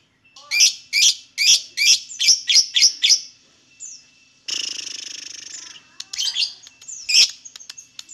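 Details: Lovebird singing, used as a lure to prompt other lovebirds to sing: a quick series of eight bright, high chirps, then a hissing rasp and more scattered sharp chirps.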